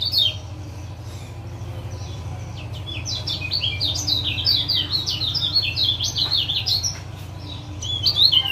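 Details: Lombok lemon-bellied white-eye, male, with 'ciak' calls to rouse a quiet caged male: after a near-silent start, a long fast series of high, zigzagging chirps, about three per second, over a faint low drone.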